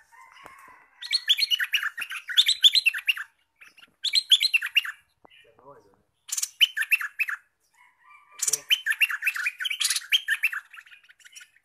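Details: Olive-winged bulbul newly taken by trapping, singing vigorously: four separate outbursts of rapid, bright chattering notes, divided by short silences, with faint low sounds between phrases.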